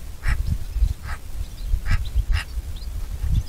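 Eurasian magpie giving four harsh, rasping notes at uneven intervals over about two seconds, against steady low wind rumble.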